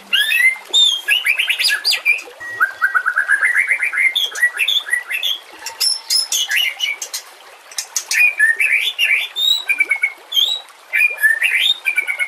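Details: Long, dense outpouring of white-rumped shama song, used for training birds: loud, varied whistles, rapid rising trills and sharp metallic chips follow each other with barely a pause, showing off the full 'isian' repertoire.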